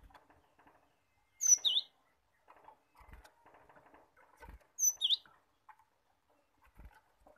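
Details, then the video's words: Cinereous tit, a lure recording played so that untrained caged birds start singing: two loud, sharp high phrases, each a bright whistle dropping into a V-shaped note, about three and a half seconds apart, with soft rustling and clicks between. "pancingan gelatik batu agar gelatik bahan cepat gacor dan ngerol"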